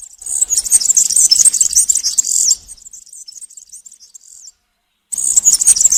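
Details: Forest serin in the country singing style for tutoring young birds: loud hurried jingling for over two seconds, then thinner softer twittering, a half-second silence, and a fresh loud burst.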